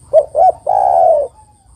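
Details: A single phrase from a female spotted dove calling the male: two short rounded coos followed by a longer, steady, softly falling coo lasting about half a second.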